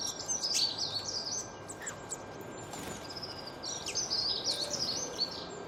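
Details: Twittering songbirds give quick, high, bouncing chirps and short whistled slurs in loose bursts, a brief sharp call around two seconds in, all over steady environmental hiss.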